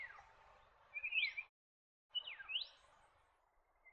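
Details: Black-faced monarch in an east Australian forest, giving soft paired whistles: a descending slurred note followed by a sharply rising upslur, repeated after a short gap, faint and quiet overall.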